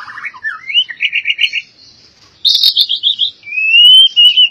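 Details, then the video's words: Albino white-rumped shama in loud song: a quick run of rapid trilled notes, a short pause, then a high buzzy rattle and a long clear whistle rising slowly. "Murai Batu Albino Istimewa"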